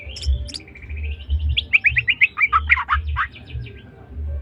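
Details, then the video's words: Medan white-rumped shama singing in trotol style, opening with high sharp notes and a steady buzzy trill, then a fast series of about a dozen rising chirps over a low hum. "suara burung murai batu medan||murai batu medan trotol gacor"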